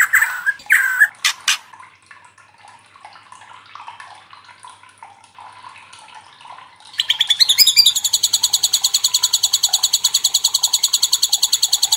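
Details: White-rumped shama song used to bait other shamas into answering: a few loud whistled notes, a quiet stretch, then a long, evenly paced, very fast high trill.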